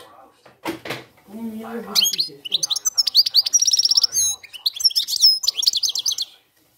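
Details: European goldfinch singing in the cante campero style: after a brief human voice, a fast run of high twittering notes and liquid chirps, with a rapid buzzy trill in the middle of the phrase.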